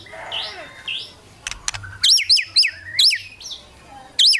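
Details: White-rumped shama song used to stir rival birds into singing; loud, sharp whistled notes that twist up and down, given in quick bursts of three and then singly, with softer whistles before.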